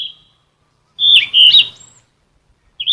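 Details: A captive Sikatan emas flycatcher (Ficedula, Muscicapidae) sings a quick, high phrase of sliding, whistled and twittering notes lasting about a second, with brief whistles before and after it.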